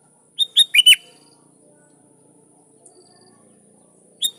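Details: Calling rivals, a sooty-headed bulbul gives a fast four-note phrase of bright whistled notes, then a pause, with the next phrase just beginning at the end.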